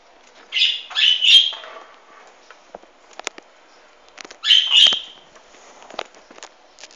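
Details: Hahn's macaw recorded 16 March 2013, letting out two loud bursts of shrill, grating squawks about four seconds apart, with faint clicks and rustling in between.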